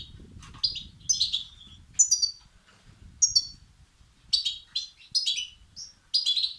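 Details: European goldfinch chicks begging, used to stimulate males; scattered high, thin chirps and buzzy twitter bursts, sparse at first then denser toward the end, with low background rumble.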